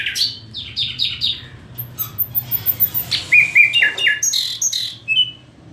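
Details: Common nightingale singing a fast, varied phrase: rapid chirped notes sliding down from high pitch, a brief thin high trill, then clearer whistled notes repeated in a short series, over a faint low hum.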